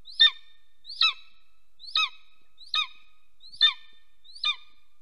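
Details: Golden eagles copulating at a camera-watched nest in Soomaa National Park, Estonia, mid-morning on 17 March 2024; six clear yelping notes, each a brief high downward-slurred cry, repeated roughly every 0.9 seconds.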